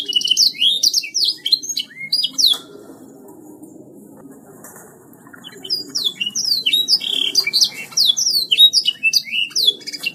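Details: Canary singing 'gacor': fast high whistled sweeps at the start, a near-silent gap of about three seconds, then the dense, rapid warbling resumes to the end.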